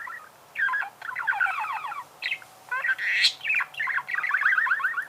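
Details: Budgerigar warbling almost without a break, a scratchy, bubbling chatter of rapid modulated notes with a few higher squeaks mixed in.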